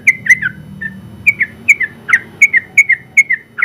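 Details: Sooty-headed bulbul singing vigorously ('gacor'), a first-place winner in the general contest class. Its bright whistled notes fall slightly in pitch and come in quick pairs and runs, with a soft low background hum.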